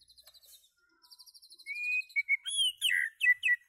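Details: White-rumped shama song: faint high rapid ticking at first, then a clear sustained whistle followed by a rich, varied sequence of slurred whistles and sharp notes.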